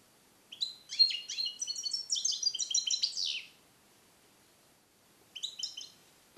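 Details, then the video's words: Captive-born European goldfinch, hatched 2021, song-trained in the Neapolitan style, held alone in a small carrier: a long run of rapid, bright twittering notes and trills lasting about three seconds, then a short twittering burst after a pause. "Cardellino Passata Napoletana 2021 - KH24 - European Goldfinch - Jilguero cate limpio"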